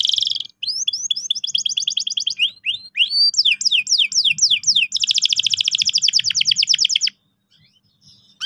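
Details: Canary lure song for young canaries: a rapid sequence of high trills that shift between phrases of rising slurs and downward sweeps, then a long rapid roll, then a short pause.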